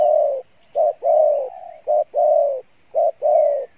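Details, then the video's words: Spotted dove cooing, Pha Bài Lối style with a good voice. Clean, loud, regular pairs of a short coo and a longer steady hollow coo, repeating roughly once a second with little background sound. "Đồng Pha Bài Lối , tốt Giọng , Gù khá"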